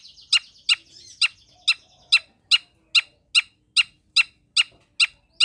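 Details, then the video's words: Long-tailed shrike singing, a recording meant to provoke reluctant shrikes to sing: loud, harsh, buzzy notes repeated steadily about every half second, with a faint whistled trill underneath at the start. "cendet pastol gacorr || sangat cocok buat pancingan dan masteran cendet malas bunyi"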